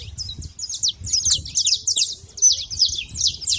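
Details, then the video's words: Saffron finches at a feeder calling busily: quick, high, rasping chirps from several birds, about two or three per second, overlapping throughout. "canário da terra fazendo barulho na seva"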